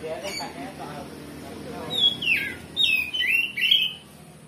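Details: Oriental magpie-robin in full 'ngeplong' song showing its varied repertoire, played to rouse a rival's emotion and provoke it to fight back; loud sweeping whistled phrases rising and falling after faint murmuring voices at the start.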